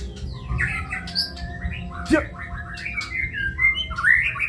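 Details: White-rumped shama of the long-tailed Kebyok type delivering rapid, varied whistles, chirps and harsh squawky notes in a busy run, over a steady low hum.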